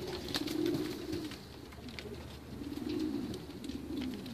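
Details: White racing homing pigeons giving low, rolling coos: one drawn-out phrase early on and another about two seconds later, each wavering and throaty, with faint scratchy clicks and shuffling in the background.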